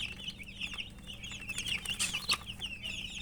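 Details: High, thin peeps from many brightly coloured hen chicks, crowded into a steady twittering stream with a couple of sharper, louder cheeps near the end.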